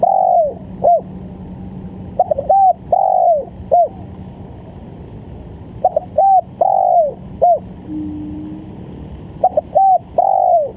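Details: Spotted dove, used as a decoy call to lure birds, giving repeated phrases of short mellow coos followed by a longer drawn-out note that falls at the end, in about four bursts, over a steady low hum.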